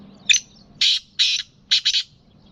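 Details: Black francolin (kala teetar), a Gangas lalpotia cross Sindhi bird, giving harsh, scratchy, high-pitched notes: one short opening chip, then two longer grating bursts and a closing doubled burst, with quiet background hum.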